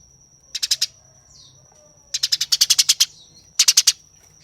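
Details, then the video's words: Harsh, rapid chatter of a fighting Eurasian tree sparrow: three bursts of tight rasping chirps, four, ten, then four notes, separated by quiet gaps, over a continuous thin high tone. "Tembakan Gereja Tarung Gacor Nyerecet Kasar Speed Rapat"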